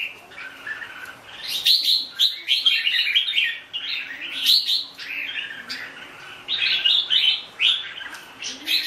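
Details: Red-whiskered bulbul pouring out jumbled, bubbly whistled phrases with a few sharp clicking notes between them, the singing loud throughout with a brief lull midway.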